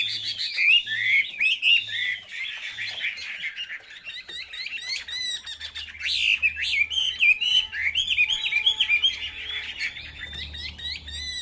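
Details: Caged Chinese hwamei in full song, a lengthy cascade of clear whistled phrases. Bursts of quick, twisting notes rise and fall, with brief quieter gaps, and a low steady hum is heard beneath.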